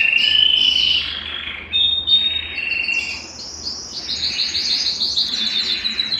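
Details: Belgian canary singing to warm up males and bring females into breeding condition: a clear whistled note opens, then varied rolling trills and rapid chirps climb higher, with a short dip in loudness midway.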